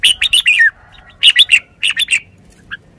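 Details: Red-whiskered bulbul singing three quick groups of bright, clipped whistled notes, each group ending with a falling slur, followed by a single soft note.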